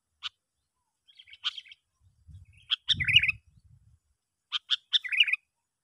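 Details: Sooty-headed bulbul calling to lure other bulbuls in: short clusters of sharp clicks and bubbly warbled notes, spaced about every two seconds, with a low rumble of background noise midway.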